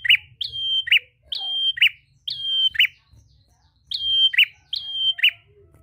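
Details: Lively prinia song aimed at a rival, used to provoke other prinias to sing. The same phrase repeats quickly about six times: a sharp onset, a level piercing whistle, then a rasping chip. The background is quiet.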